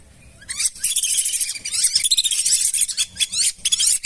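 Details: A flock of lesser whistling ducks, used as a lure for wild birds around rice paddies and marshes: quiet at first, then a continuous chatter of shrill whistles and sliding squeaks from many birds for over three seconds.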